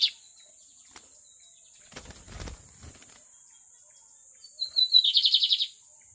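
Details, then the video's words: Lined seedeater described as magnata: after a quiet stretch with some fluttering and rustling, a few whistled notes lead into a dense, quick buzzy trill of even pulses lasting under a second. "BIGODINHO MAGNATA ALÉM DE BONITO É MUITO BOM!"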